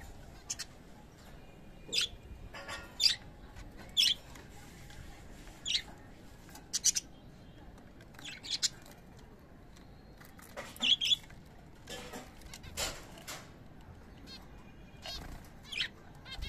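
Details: Pet budgerigars during sun bath and play time give brief, scratchy chirps in scattered bursts over a soft background hiss.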